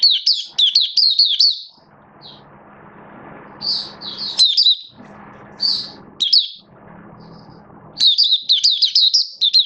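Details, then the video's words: Oriental white-eye kept in the bird hobby, build-up form, 19 September 2022: rapid high warbling at the start, sparse single chirps over a humming background in the middle, and a renewed fast twittering run. "Mata Puteh V2 Raja Buka Sing Build Up Form"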